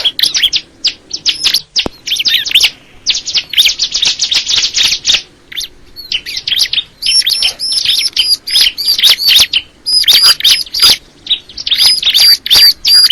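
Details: Bar-winged prinia of the crystal ciblek variety in a long, lively song of fast high twitters, buzzy trills and repeated ringing whistled notes, with brief pauses between bursts.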